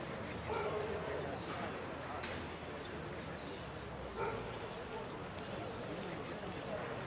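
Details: Saffron finch in an interclub cup singing contest at Ciudadela, 08 03 2014, 'amarillo sin cierre' category: low voices and crowd noise, then late on a run of high piercing chips and a fast buzzy trill.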